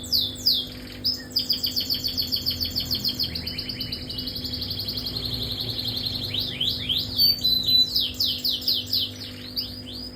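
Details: Canary delivering its durasi 30up song: a long even trill of rapid repeated notes, then a string of sharp upswept whistles, over a constant low background hum.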